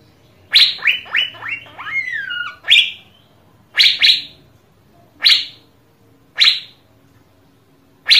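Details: Asian fairy-bluebird, played to get other birds singing: a rapid run of short notes leading into a long sliding downward whistle, then separate loud falling chips about a second apart.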